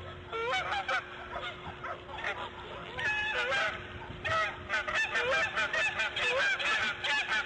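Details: Bald eagle, a female laying her fifth egg at the nest, March 1, 2014, 8:40 AM: bursts of high, harmonically rich chirping notes in rapid uneven series, with pauses between the bursts and a steady background hum.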